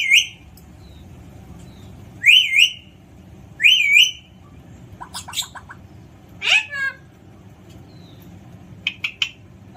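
Alexandrine parakeet giving loud, harsh squawks, three screeches about one and a half seconds apart, then shorter chattering and trilled notes over a low steady hum.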